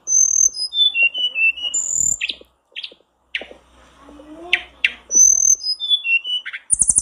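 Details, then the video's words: Blue flycatcher, used as a lure call to get a kept bird singing, sings a sweet descending phrase of clear whistles twice with short buzzy chips between; a faint lower chirp in the background. "pancingan tledekanmu agar cepat gacor"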